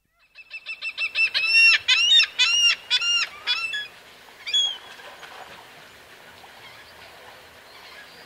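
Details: Laughing gull (Leucophaeus atricilla), single bird giving its long call: a run of about a dozen nasal, laughing notes that swell and then fade, followed by one last call.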